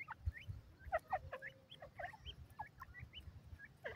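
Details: Francolin hen (teetar) calling: a busy run of short rising chirps and clipped notes, fairly rapid and irregular, with low knocking sounds beneath.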